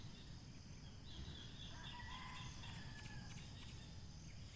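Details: Rooster crowing in the morning after sunrise in the countryside of Naic, Philippines: a faint, distant drawn-out crow with a rising then sustained tone, over steady low rumble and constant insect hiss.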